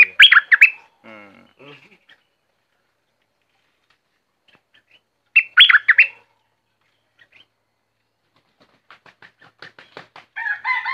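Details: Streak-eared bulbul, southern Thailand, producing two short bursts of squeaky, tumbling chirps about five seconds apart. Softer scratchy notes and clicks come between them, and more chirping starts at the end.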